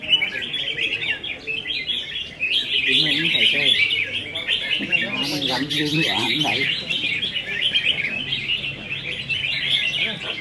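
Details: Singing contest between caged red-whiskered bulbuls, recorded 15 May 2021. A continuous tangle of lively, jerky whistles and chirps from many birds, louder after the first two seconds, with male speech mixed through the middle.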